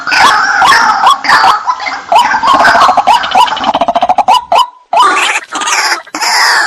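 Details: White-breasted waterhen lure recording used to draw out hiding waterhens: harsh, broadband croaking notes with short upward-bent pitches, delivered in rapid bursts that speed into a stuttering run, then a brief gap before more loud grating calls.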